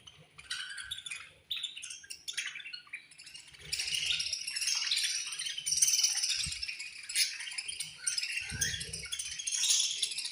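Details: Budgie colony at feeding time, with scattered high chirps at first, building into a loud, sustained chorus of overlapping twitters and chatter; a few low bumps are heard too.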